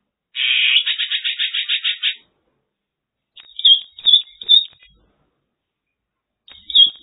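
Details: Mongolian lark in China gives a harsh, buzzy rattle of about ten pulses lasting nearly two seconds, then after a pause several thin, sharp chirps and one more chirp at the end.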